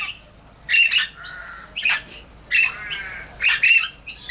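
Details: Caged Princess parrot chicks, December 2017, growing stronger daily: a run of rough, scratchy squawks about every half second to second, some with a thin whistled edge, plus a brief harmonic buzzy note between them.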